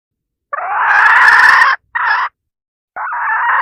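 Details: Calling hen, a decoy sound meant to attract roosters: a loud, harsh, drawn note lasting over a second, a shorter burst, then another long rasping note after a pause.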